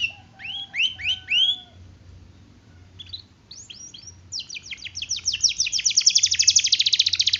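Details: Canary with a long rolling song: a low steady whistle under upward-curving chirps, a brief lull, then a rising, accelerating trill of rapid notes growing louder to the end.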